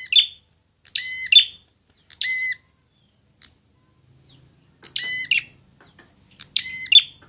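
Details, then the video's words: Prinia in fighting song, used to prompt birds to sing: spaced bursts of sharp, harmonic double chips with brief silences between them, some quieter single notes mid-way. "masteran prenjak agar cepat gacor"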